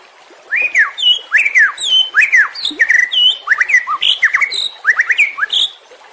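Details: White-rumped shama song played as tutor audio for caged birds that have stopped singing: a fast run of clear whistled phrases, steep rising and falling slides mixed with sharp chirps, about a dozen bursts in six seconds over a quiet background.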